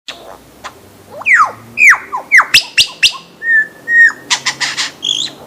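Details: Lyrebird singing a varied medley: sharp descending whistled sweeps, clicks, steady whistled notes near mid pitch and bursts of high buzzy notes, changing phrase to phrase at a fast pace.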